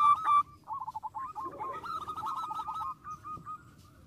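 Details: Zebra dove (perkutut) singing to provoke rival birds: a brief clear tone, then a rapid stuttering run of trilled coos at a steady mid pitch, with a low murmur underneath.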